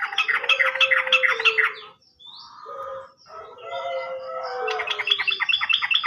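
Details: Sooty-headed bulbul lure song for birds that have stopped singing: continuous busy chattering with overlapping whistled tones, a short dip near the middle, then rapid rattling again.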